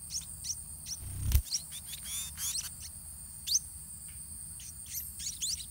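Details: White-rumped munia chicks in the nest give thin, high chirps in irregular bursts, about one every two seconds, as parents feed them by regurgitation, over a steady high insect-like hiss, a low rumble and a thump.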